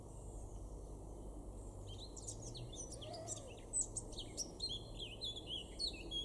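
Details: Male Eurasian blackcap (Sylvia atricapilla) singing in a garden in Weener, East Frisia, northwest Germany, May 2022: a quick, varied warble of high chattering and whistled notes over a steady low background rumble.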